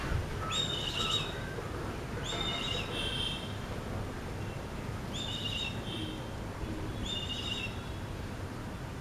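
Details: A brown hawk, regaining his confidence, gives four short, harsh, high-pitched calls, one about every two seconds, over a steady low rumble of background noise.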